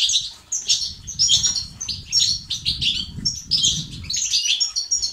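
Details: European goldfinch song in the batbata and stastat manner, played to cure silence in males: quick, jangling twitter phrases and thin whistled notes, rising and falling, over faint low rustling.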